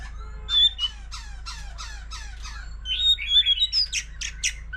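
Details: White-rumped shama singing many varied phrases, the song used in song contests with tail-flicking: a series of descending slurred notes, then high whistles and sharp high chips, over a low steady hum.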